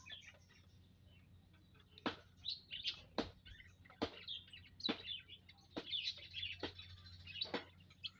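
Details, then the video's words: Group of munias in an aviary on 19 April 2025, making scattered high chirps and trills between a series of loud, sharp knocking clicks roughly once a second. "Kumpulan Burung - Burung Emprit"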